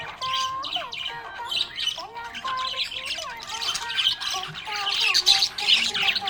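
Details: Budgie chirping described as happy: rapid, irregular chatter of squawks and twitters, roughly three notes a second, with bending lower tones beneath.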